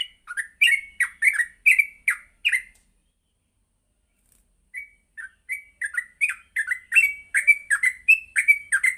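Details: Yellow-vented bulbul singing gacor in the morning, a training lure for ngropel singing: a burst of chirpy, bubbling notes, then a silence of about two seconds before the rapid chatter resumes and builds.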